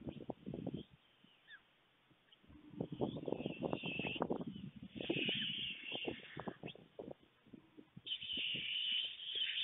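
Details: Two white stork nestlings on a webcam nest in Fohrde, Germany, on 28 July 2019 in the afternoon, begging in anticipation of food as a parent visits. Drawn-out wheezy hissing bursts come between bouts of rustling and knocking on the nest.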